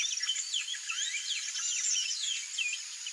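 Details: Yellow-rumped marshbird: a busy jumble of overlapping high whistled and slurred notes, some rising and some falling, with a faint constant high hiss and no low sounds.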